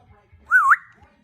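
A parrot gives one short, clear whistled utterance that dips and then rises sharply, lasting about a quarter second, in a quiet room.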